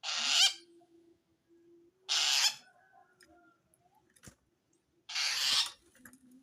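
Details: A long-tailed shrike calls to wild shrikes with three scratchy, broadband rasps about half a second long, spaced around two and a half seconds apart, a sound said to indicate threat from another shrike; a faint steady hum and a sharp click.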